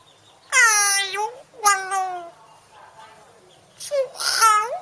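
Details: Talking hill myna from Chiang Mai, Thailand, giving a New Year greeting. It voices clear, tonal, speech-like phrases with sliding pitch, in several separate word bursts with short pauses between them.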